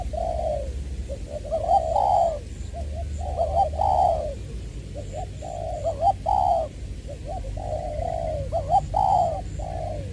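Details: Spotted dove used as a decoy bird, from Long Đức, Trà Vinh, recorded 22 February 2021, voice style called "giọng tiểu"; mid-pitched rolling coos in short phrases, repeated steadily across ten seconds with a faint low hum behind.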